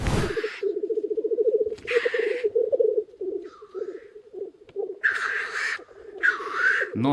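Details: Many black grouse cocks displaying on the ground at a spring lek near a hide: continuous low rolling, bubbling coos overlaid by several loud hissing sneeze-like calls.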